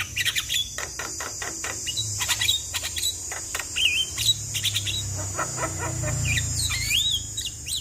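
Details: Javan myna full fill-in song, used as a lure to get a silent myna singing: dense run of sharp chirps and clicks, then whistled upswept and looping notes near the end, over a constant high insect hiss.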